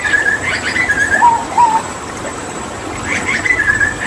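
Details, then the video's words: Hooded butcherbird from Papua, kept as a tutor bird for other songbirds, giving clear whistled phrases. Higher notes waver, with a lower pair of slurred whistles midway, over steady background hiss. "Masteran Tembakan JAGAL PAPUA gacor"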